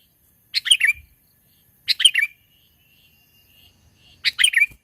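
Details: Mountain sooty-headed bulbul used as a lure for bird trapping: three lively chirping phrases, each a fast bubbly cluster of notes, spaced about one and a half seconds apart in a quiet background.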